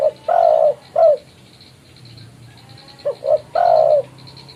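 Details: Spotted dove calling a rival, used as a lure for trapping: low hollow coos, a short note, a long drawn note and another short one, then after a pause two quick notes leading into a long coo. Steady faint background hum.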